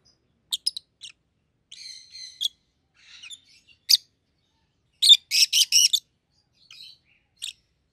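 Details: Pet rosy-faced lovebirds, a yellow and a green bird with red heads, give scattered high squeaks and a raspy chatter, then a quick burst of four loud, sharp shrieks before falling quieter.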